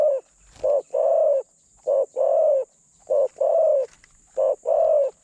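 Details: Decoy spotted dove in captivity, medium-toned with thin phrasing, calling to draw in wild doves: four evenly spaced phrases, each a quick short coo leading into a sustained, gently falling coo.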